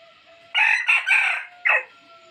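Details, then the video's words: Rooster giving a provoking lure crow: a hoarse, broken crow of three joined bursts, then a short separate downward note, with a faint thin tone running underneath. "tiếng gà trống kích mồi chuẩn,suab qaib qua zoo cuab tuaj zoov heev"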